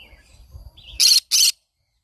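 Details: Morning calls of a green-cheeked conure: a couple of soft, faint chirps lead into two loud, grating screeches delivered back to back, each short and harsh, ending abruptly in quiet.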